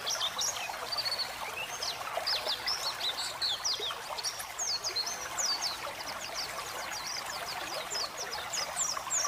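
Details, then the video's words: White-eye song used as training material for pet white-eyes, in an energetic chattering style, over a trickling water effect meant to relax the birds. Rapid thin high chirps and twittering notes repeat densely throughout over constant flowing water. "masteran burung pleci gacor ngeriwik ngeplong"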